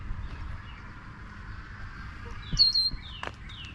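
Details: A bird in spring mating season in Applewood Hills park, Mississauga, keeps returning to playback of its own call: a few thin, high chirps and short downslurred notes in a quick burst near the end, over steady low hiss.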